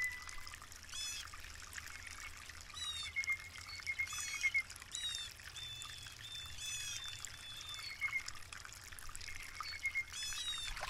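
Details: Blue jay uttering repeated harsh, overtone-laden calls every second or two, mixed with faint thin whistles over a steady trickling-water hiss.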